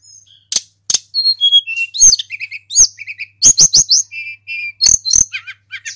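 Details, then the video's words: A local Tledekan gunung pours out a varied song used to provoke silent birds: whistles, sharp downslurred chirps and short repeated rattling phrases in quick succession. "SUARA TLEDEKAN GUNUNG FULL GACOR | Pancingan burung sulingan bahan supaya EMOSI & cepat bunyi"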